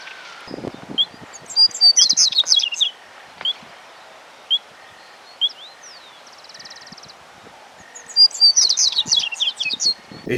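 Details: Juvenile male double-collared seedeater from central Argentina gives two fast, high, jangling phrases about six seconds apart; scattered thin whistles, a short buzzy trill and soft clicks from other birds fill the pause.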